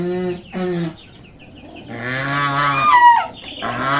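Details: Two short nasal honks, then a long, rising, strained honk from a mother swan warning a person away from her five newly hatched cygnets.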